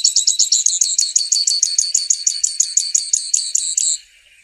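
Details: Loud, clear grassland yellow finch song: a high trill of about twenty-five evenly repeated buzzy notes over four seconds, ending abruptly.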